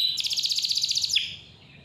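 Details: Canary singing clearly, meant as a lure for young or lazy canaries: a bright, rapid trill of about a dozen evenly pulsed high notes lasting a second, ending in a quick downward sweep, then quiet.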